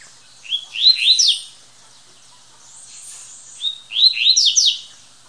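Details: Double-collared seedeater, champion of a municipal singing contest with 22 songs per minute, recorded at its breeder's home: two quick, high, sweeping phrases of slurred, rising-and-falling notes, about three seconds apart.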